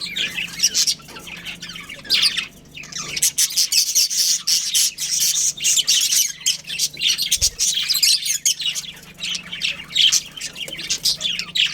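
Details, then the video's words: Breeding pair of budgerigars chirping continuously, busy high-pitched twittering and scratchy chatter in rapid overlapping bursts, with a low mechanical hum and one short thump. "Adorable Budgies Chirping Sounds"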